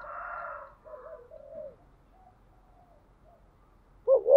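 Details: Spotted dove giving the thúc gù coo style. Soft, hollow, low coos at the start fade into a quiet pause, then a louder, throaty, wavering coo bursts in at the end against a clean, silent background.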